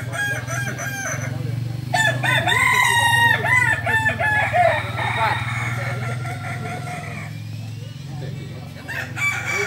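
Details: Balenggek chickens at a Sunday crowing contest, landiak class, Ampang Kualo, Solok city: a run of arched, repeated crow notes rises over a constant low engine hum and background voices, then fades.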